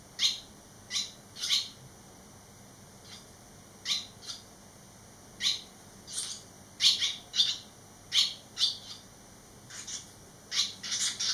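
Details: Eleven days out of the nest, three young barn swallows have returned; a long stream of high, sharp chirps in irregular bursts, some doubled or tripled, growing busier toward the end, with a quiet background.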